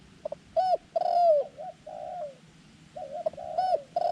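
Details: Lively sequence of stuttered notes, loud arched coos and level falling tones from a white-clawed decoy dove set out to entice wild doves to the trap.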